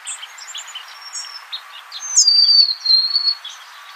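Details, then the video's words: Golden-crowned sparrow singing one clear, drawn-out whistle that slides downward and then holds steady, standing out over soft scattered chirps from other birds. "Bird Natural Sound.Golden crowned Sparrow"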